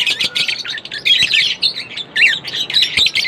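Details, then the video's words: Lovebird chirping: quick bursts of high, sharp twittering notes, some with rising and falling whistled inflections, packed closely with tiny gaps between phrases. "lovebirds chirping sound Non-Stop"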